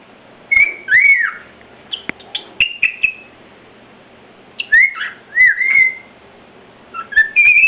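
A cockatiel gives clear whistled notes, some rising and falling, in short bursts with pauses between.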